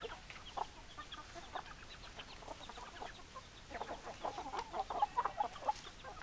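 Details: Chickens clucking: scattered short, low clucks come irregularly, building into a busier run of quick clucks in the last two seconds, over a steady background hiss.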